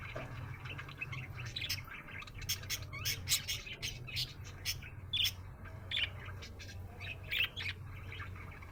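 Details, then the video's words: Cheerful budgie chirps and chatters in short bursts, with many sharp clicks mixed in and a low hum beneath. "Happy budgie chirping sound"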